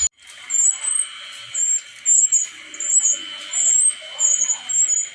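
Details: A brown-chested jungle flycatcher, wild-caught in Bali and said to be male, gives a series of high, thin, slurred whistles in short phrases about a second apart. A constant mid-pitched tone runs underneath.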